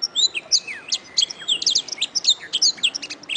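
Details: Canary song for training birds, best played in the morning or evening when the bird's mood is good: a fast, unbroken run of high, bright chirps, sweeping slurs and quick trills, several notes each second.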